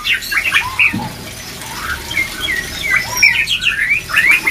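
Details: White-rumped shama song played as therapy to raise breeding drive: bright whistled notes and quick chattering phrases jumping between pitches, fairly continuous, with one short low thud near the start.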